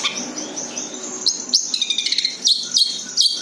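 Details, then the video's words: Long-tailed shrike in its natural voice without mimicked phrases, used as a lure: high chirps at first, then sharp rising whistled notes repeated about every half second near the end. "SUARA ASLI BURUNG CENDET TANPA ISIAN COCOK UNTUK PANCINGAN"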